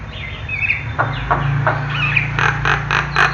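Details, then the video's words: Javan myna singing in its natural style: thin whistled notes and a slurred trill give way to a run of harsh, repeated rasping bursts at the end, with a constant low hum behind. "Kicau Jalak Kebo"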